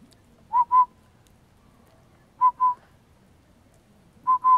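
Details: A Northern Pygmy Owl eating a quail on a property in La Pine, Oregon, on a cold day; short, mellow whistled toots in quick pairs about two seconds apart, over a faint low rumble.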